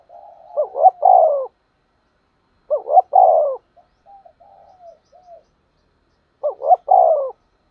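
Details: Spotted dove used as a lure call to draw wild doves into a trap, giving loud, low, rounded coo phrases about every three seconds, with softer, muffled coos between them. Quiet background.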